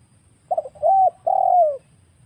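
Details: Wild spotted dove, recorded to lure birds for trapping, gives one full phrase: a quick stuttered double note, a mellow level coo, then a longer drawn-out coo that slides downward. Only faint low background hum is heard.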